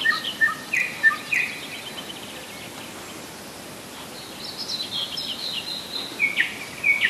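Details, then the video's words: Singing nightingale, July 2011, Rassudovo about 40 km from Moscow: brief rising and falling whistles and slurred notes, a pause, then a buzzy high phrase ending in sharp upslurred notes, over steady outdoor noise. "Соловьиная песня / Nightingale song"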